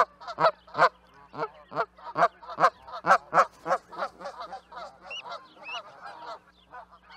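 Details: Canada goose giving a rapid series of loud, harsh, nasal honks, roughly two per second, with each call clipped and strongly emphasised, the sequence trailing into softer, overlapping honks toward the end.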